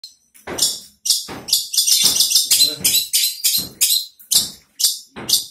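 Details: Caged long-tailed shrike bursting into song right after its cage cover is removed: harsh, scratchy high-pitched bursts in short irregular phrases separated by brief pauses, roughly two per second.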